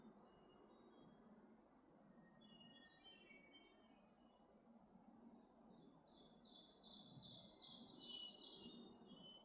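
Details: Wood thrush singing in Maine: several flute-like whistled phrases, then a loud run of rapid trilled, fluttering notes repeated quickly near the end, with steady wind noise throughout and other songbirds in the background.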